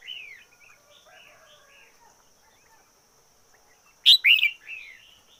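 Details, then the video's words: Red-whiskered bulbul kept as a decoy, singing: soft, descending warbled notes at the start, then a pause and one loud, bubbling three-note burst of rich chirps near the end, over a constant faint high hum. "Chim chào mào mồi hót căng lửa nhất 2021. Noog diab qhuaj zoo heev 2021"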